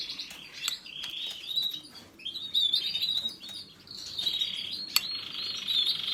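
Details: Canary singing sustained high rolling trills broken by brief pauses, with a few sharp clicks and soft background noise between phrases.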